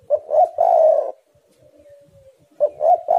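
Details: Spotted dove song, the Indonesian tekukur: two clipped hoots run into a long rolling coo, a faint low whistle in the pause, then the next phrase begins.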